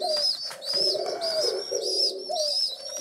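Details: Indoors, young rescued pigeons on day seven of care beg before breakfast with rapid, shrill, piping squeaks, paired with lower hoarse humming notes.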